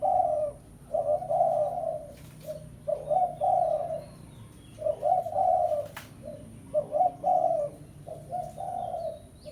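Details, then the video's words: Spotted dove calling a rival as a lure, repeating low hollow coo phrases about every two seconds, each of short notes followed by a longer one, with faint clicks behind. "Tekukur Pikat Suara Memanggil Lawan"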